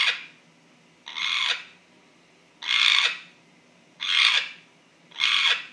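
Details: Pet African grey parrot indoors making a strange, unexplained noise: harsh breathy hissing bursts, each about half a second, repeated roughly every one and a half seconds.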